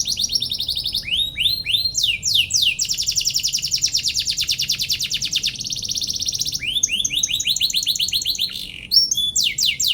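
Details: Canary singing at length, meant to make silent rival birds answer: alternating fast rattling trills and runs of sharp sweeping chirps, nearly unbroken for ten seconds.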